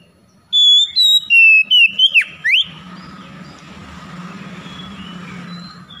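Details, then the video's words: Song of an Oriental magpie-robin played to stir lazy, silent birds into singing: a crisp series of pure whistles dropping in pitch, ending in a fast down-and-up slur, then steady low background noise. "PANCINGAN KACER BISU MALAS BUNYI AGAR CEPAT NGEPLONG DAN GACOR"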